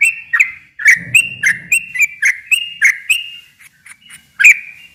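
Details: Long rapid song of a yellow-vented bulbul played to coax silent birds into answering: a string of sharp whistled notes, quick and even, briefly over low rumbling, ending after a short gap with one loud note.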